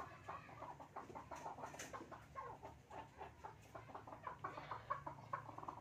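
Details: Chukar pair, male and female, calling together during play: steady series of short clucks, softer and more muffled, repeated several times a second under light background hum.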